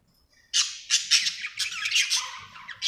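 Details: Happy pet budgerigar chirping; loud, harsh, scratchy squawks and chatter pour out in pulsing bursts after a quiet opening, continuing for over two seconds.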